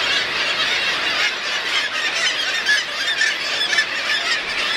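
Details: A dense din of black-legged kittiwakes at their nests on East Amatuli, August 28, 2008: many harsh, nasal, overlapping calls at a steady pace, with no gaps between them.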